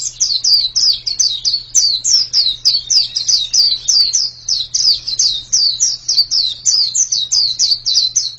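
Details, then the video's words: Energetic white-eye song of high, clear descending chirps, about three notes per second in an uneven, bouncing rhythm, sustained for over eight seconds; faint low hum underneath. "Ini pasti pleci yang sangat super itu kicaunya"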